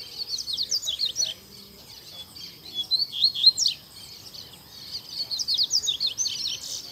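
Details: Energetic song of a coleiro in a town square: repeated bursts of fast, high, buzzy twitters and descending whistles, about three phrases with brief quiet gaps between them.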